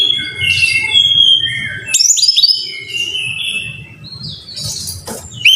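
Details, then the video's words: Brown-chested jungle flycatcher song played as a lure for caged birds: sliding clear whistles and short chirps over a steady low hum, with an abrupt sharp note break midway. "Pancingan Masteran Suara Burung (SIKATAN RIMBA DADA COKLAT)"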